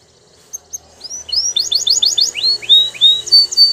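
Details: Belgian canary singing, from a recording used for canary training; after a quiet start, high downslurred notes build into a rapid rolling trill of repeated curved syllables, then longer drooping whistles, with faint low background hum.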